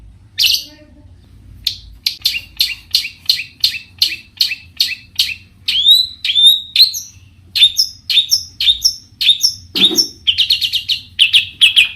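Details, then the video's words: Varied song of a long-tailed shrike, used to goad rival shrikes into singing back: quick runs of high, sharp ticking notes, some with short upward whistled inflections, repeated briskly throughout. "cendet gacor Variasi BIANGNYA bikin cendet lain emosi ikutan bunyi langsung NYAUT"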